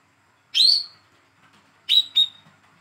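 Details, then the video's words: Young captive olive-backed sunbird, hand-reared, giving lure calls for a bird that will not sing: one sharp, slightly descending high chirp, a pause, then two quick chirps close together. "PANCINGAN CALL KOLIBRI KELAPA/WICEH MUDA TROTOL BAHAN MACET BUNYI"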